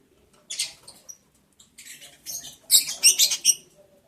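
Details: Lovebirds on day 11 of breeding, heard while mating, July 11, 2022: a dry, scratchy burst of chatter that builds into rapid, loud shrill chirps near the end, the room otherwise quiet.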